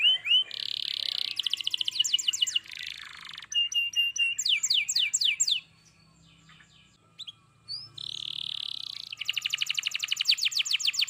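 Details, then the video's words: Canary singing vigorously and continuously: high, bright downslurred notes alternate with fast rattling trills. A short pause near the middle brings a quieter, noisy stretch before the trills resume. A faint steady hum runs underneath. "kenari gacor"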